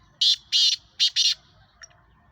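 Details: A captive male Black francolin (Francolinus francolinus) of the Sheedi breed gives four harsh, grating notes in quick succession, then a faint click, over a low background hum.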